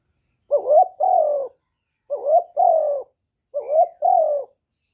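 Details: Spotted dove gives three soft, mellow two-part coos, each a rising then falling phrase, about every one and a half seconds, recorded without background noise as a lure to stimulate caged doves.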